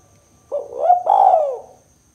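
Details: Spotted dove, 'kuk 2' call style, used for luring and prompting birds. A single soft coo phrase: a brief lifting opening note, then a drawn-out, gently descending hoot, clear and close.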